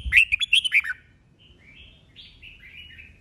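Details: Red-whiskered bulbul singing competitively, an old wild-caught bird: a loud run of rapid, bright warbled notes lasting under a second, followed by fainter, thinner whistled phrases from farther off, over a low background hum.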